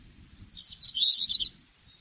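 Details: Singing black redstart gives one brief high phrase, a few thin notes building into a louder scratchy warble that ends abruptly after about a second.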